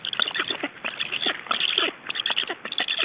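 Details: Several Black storks during feeding in Estonia on 7 July 2012 at 15:41 give a steady stream of harsh, raspy, wheezing notes, overlapping in quick bursts several times a second and sounding muffled and dull.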